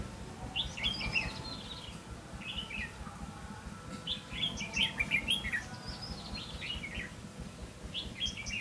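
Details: A decoy red-whiskered bulbul sings during trapping, 5 November 2016: lively warbled phrases of rising and falling whistles, delivered in bursts about every one to two seconds, against faint low rumble.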